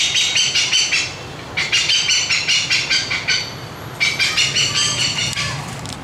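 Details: Flock-gathering calls of a captive Indian pied hornbill in Vietnam: three long runs of loud, raspy cackles, each pulse sharp and nasal, repeated about two or three times a second, separated by brief pauses.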